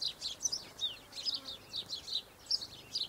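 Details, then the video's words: Double-barred finches (Taeniopygia bichenovii), 1 December 2013, chattering with quick high nasal tweets and short squeaky notes in rapid irregular succession, several birds calling together. "Double-barred Finches"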